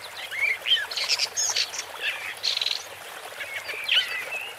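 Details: Woodchat shrike song of squeaky slurred whistles and harsh scratchy chatter, with a short buzzy rattle in the middle and thin whistled notes at the end.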